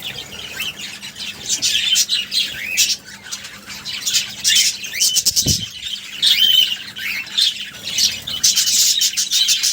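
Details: Budgerigars, possibly babies, during feeding chatter nonstop in high, scratchy chirps and squawks, many overlapping, with a faint low hum and one brief thump.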